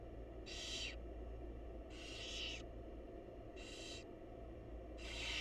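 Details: Barn owl mother feeding chicks in a wild nest box: four rasping, noisy hisses of roughly half a second, some slightly longer, against a constant low droning background.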